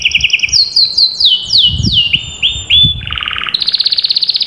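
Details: Canary singing loud descending whistled slurs in quick succession, then a low buzzy roll and a fast, high repeated trill, with some faint background thumps.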